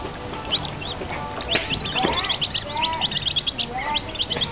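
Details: Spotted whistling ducks at Singapore Zoo give a busy chorus of high, thin peeps and twitters, with a few lower slurred whistles mixed in from several birds at once.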